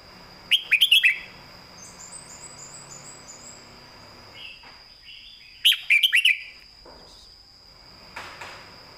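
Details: Caged red-whiskered bulbul singing a clear southern-style training song. Two loud, rapid phrases of rippling notes come about five seconds apart. Faint high twitters and a steady thin tone sound in the background.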